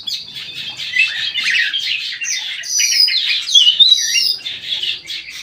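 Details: Bulbul in an aviary in full, lively song: dense warbling and chattering with bright whistled accents and a few high squeaky notes.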